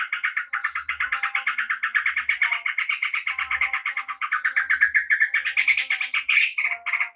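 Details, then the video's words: Yellow-vented bulbul in continuous gacor ropel song, a dense rattling stream of quick scratchy notes that swell and rise in pitch toward the end, with soft low knocks in the background. "SUARA TRUCUK GACOR ROPEL JERNIH"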